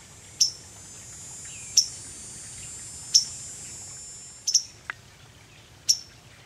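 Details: A waterthrush on a branch, recorded 30 July, gives sharp, metallic high chips about every one to one and a half seconds, once doubled, over a faint steady insect hum.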